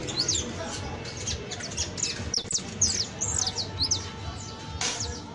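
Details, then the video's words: Professional-style song of a saffron finch (canario criollo): bright, high downward-slurred chirps in uneven bursts, with a few clicks and a brief broadband noise near the end. "CANTO PROFESIONAL DE CANARIO BASTO [ASÍ CANTA UN CANARIO BASTO PROFESIONAL"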